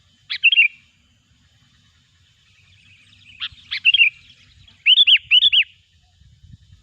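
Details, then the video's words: Sooty-headed bulbul song, a loud call used as a lure for trapping bulbuls. Three bursts of bright high chirps are spaced over several seconds, the last a pair of quick arched whistled notes, against a quiet background. "suara burung kutilang gacor pikat terampuh"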